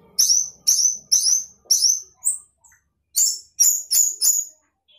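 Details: Sooty-headed bulbul singing busily in the isian fill-in style meant to beat rival birds: clear high whistles that slide downward, given in quick pairs, a pause, then another tight cluster of whistled notes.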